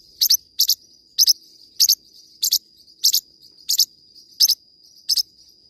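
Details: Nine crisp double chirps from a singing Forpus parrotlet, each a tight high pair, spaced about every half second over a steady thin high tone.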